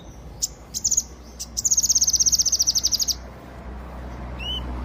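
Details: Active song of a Yellow-eared spiderhunter: a few scattered sharp high clicks lead into a sustained, rapid, buzzy trill of about fifteen notes. One short rising whistle follows after a pause.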